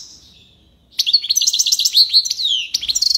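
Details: Maknine, a European goldfinch, delivering a tiwawati-style song: a quiet lead-in, then a dense rush of bright, high, rippling notes running for about two seconds, with a final short twittering burst.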